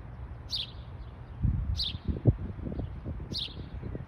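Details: Three sharp, high chirps from a house sparrow in Michigan, about 1.3 seconds apart, with low thumps and rumbling noise underneath.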